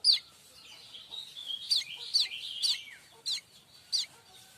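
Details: Streaked weaver song used as a tutor for magpie-robins and shamas: sharp downward chips and slurred notes near the top of its range, with a short warbled run, spaced irregularly over quiet background.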